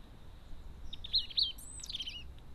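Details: Crested tit at a garden bird feeder giving a quick burst of thin, high ticking notes followed by a brief sharper squeak, over a soft low background rumble.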